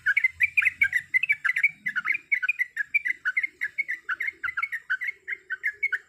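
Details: A female bulbul in heat calls for a male, giving a continuous, fast stream of sharp chirping notes that rise and fall. The chatter runs steadily for six seconds in a quiet setting.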